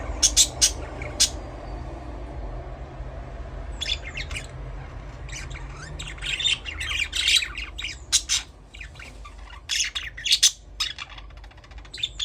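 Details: Pet budgies chirping and squawking in loose bursts, short high notes scattered through the recording, busier toward the end, with a constant low background hum.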